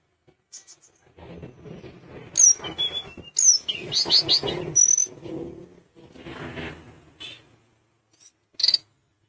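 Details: Sunda minivet singing vigorously, used to provoke rival birds into calling: scattered thin, very high whistled notes and short slurred chirps, some rising, over a low rumbling background.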